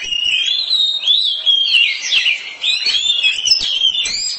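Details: Loud song from a household oriental magpie-robin, an unbroken stream of sweet, wavering whistles and twittering notes, high-pitched and rich, with barely any pause.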